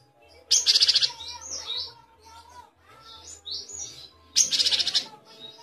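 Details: Great tit, called gelatik batu, singing two quick bursts of high, ringing repeated notes about four seconds apart, with softer whistled phrases between them over a faint low hum.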